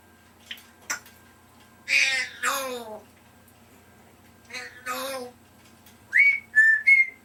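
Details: A three-year-old pet African grey parrot vocalizing indoors: breathy speech-like phrases with falling harmonic notes, then three clear whistled notes near the end, in a quiet small room.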